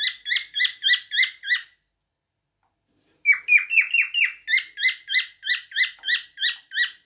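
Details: A cockatiel sings rapid runs of short, bright chirps about five a second, then a brief pause, a burst of rising whistled notes, and the chirping resumes.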